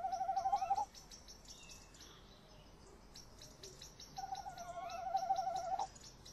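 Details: Tawny owl trilling at a nest box on a late May evening in 2015, male and female present, owl sounds continuing long on the box: a trill ending, a pause, then a second quavering trill with a squeak; soft ticking behind.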